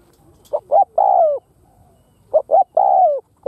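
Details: Spotted dove kept as a lure bird in Vietnam, cooing to provoke and draw in wild doves. Two short hollow coos are followed by a longer, drawn-out falling croo. The phrase is given twice in a quiet setting.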